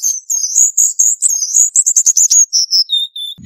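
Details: Cuban bullfinch singing a lively high-pitched run of slurred whistles and quick trilled notes, ending in two level, lower whistled tones.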